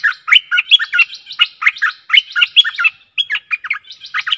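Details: Decoy song of the stripe-throated bulbul, meant to attract aggressive wild birds: continuous, gurgling chatter of quick, liquid notes repeated almost without pause, with one brief gap midway.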